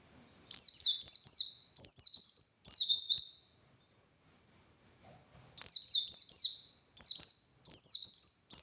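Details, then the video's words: Master recording of a dakun white-eye singing ngalas for training other white-eyes to sing. Repeated bursts of rapid, thin, descending trilled notes, each phrase lasting about a second, with a long quiet break midway. "Masteran Suara Burung Pleci Gacor Ngalas Nembak Buka Paruh"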